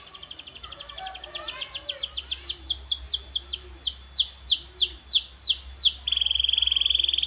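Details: Canary song played as a training sound: a fast rolling trill slowing into spaced descending sweeps, then a dense steady high trill; faint lower warbling in the background.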